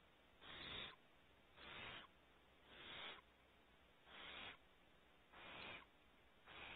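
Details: Six rasping hisses from barn owl owlets at the front of their nest cavity, Starr Ranch, California. Each broad, airy burst lasts about half a second, with roughly a second of quiet between them.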